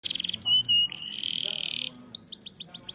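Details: Singing canary kept for contests, used as a master to lure and train other canaries to sing; varied phrases: a quick buzzy burst, pure whistles, a long trill, then a run of rising sweeps repeated rapidly.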